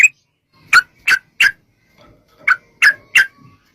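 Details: Sooty-headed bulbul lure recording meant to prompt bulbuls to sing back: two short bursts of three loud, bubbly, slurred notes, separated by a brief quiet pause.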